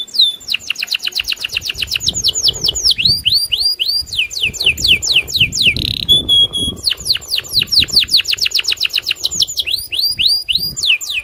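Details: Agitated loper canary challenging a rival to sing. Rapid runs of downward-swept whistles and fast trills break briefly around a buzzy held note, then the repeated sweeps resume with vigour.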